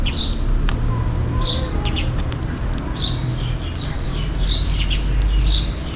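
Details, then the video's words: Sparrows chirping for food during rain: clustered high, downward-slurred chirps, some in quick pairs, against heavy low-pitched background noise. "Sparrow Birds Chirping Sound is the MOST RELAXING Sound in Rainy Days || Sparrow birds call for food"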